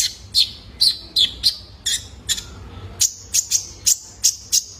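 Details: {'text': "Juvenile male Van Hasselt's sunbird, kept to spur caged birds into song. Spaced, sharp, high chip notes, then a steady, even series of brighter, higher ticks."}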